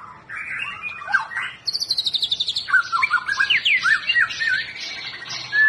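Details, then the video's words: White-rumped shama song used to get a quiet bird singing: varied whistled and chattering phrases, a fast high trill of repeated notes, then rapid rich warbling runs rising and falling. "100% langsung nyaut muraibatu males bunyi jadi gacor"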